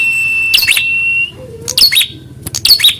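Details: Prinia responding during a rival fighting test: a steady high whistle ends in harsh buzzy bursts, followed by a short low glide and two more rasping chatter notes.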